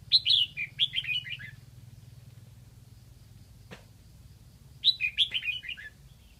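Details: Red-whiskered bulbul kept as a decoy in Lạng Sơn, Vietnam, to draw in wild birds, giving a lively warbled phrase of several falling whistled notes, a pause with a single click, then the phrase again.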